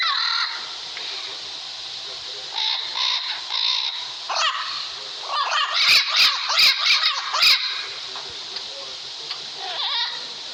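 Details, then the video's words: Parrot with scattered harsh squawks building to a fast burst of arched, grating calls in the middle, then fading back to a few notes over steady background hiss. "El sonido del loro"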